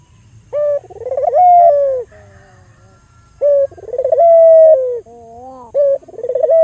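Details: Albino Barbary dove calling to lure other doves: a short note, an accelerating pulsed roll, then a drawn-out clear coo that slides down, separated by quiet low murmuring, phrases spaced about three seconds apart.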